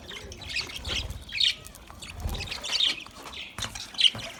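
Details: Budgies chirp as they eat, with bright tweets and squawks arriving in clusters about every half second to second, over soft low thumps.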